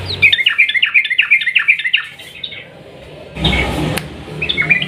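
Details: Sooty-headed bulbul in lively long 'ropel panjang' style song, used as a lure for birds that stop singing: rapid chain of bright, bouncing chirps for two seconds, a pause with faint rustling, then a burst of noise and renewed chirps.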